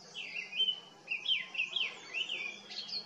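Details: Grey-winged Blackbird singing cheerfully among foxglove spires at a Himalayan botanical collection, Jabbarkhet, India: a series of clear whistled phrases with slurred, falling and rising notes, broken by short pauses, with faint higher-pitched twittering behind.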